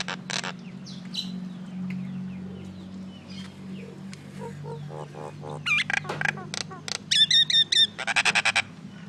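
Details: Common myna making varied noise: scattered harsh notes and clicks, building to bursts of fast, repeated ringing chatter, over a low steady hum.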